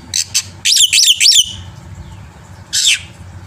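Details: Master song of a black-winged myna for drawing out other birds' voices: two short harsh notes, a quick trio of buzzy down-slurred phrases, silence, then one more rasping buzzy phrase.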